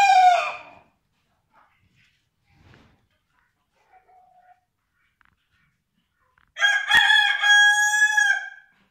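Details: German Vorwerk breed rooster and hens: the tail of one crow, several seconds of near silence with faint clucks, then a full, strained, multi-note crow of about two seconds.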